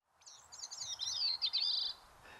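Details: Bicknell's Thrush on a White Mountains summit in New Hampshire, in summer daytime, with four or five singing around, sings a thin, high, buzzy phrase that flutters and spirals for almost two seconds, over faint background hiss.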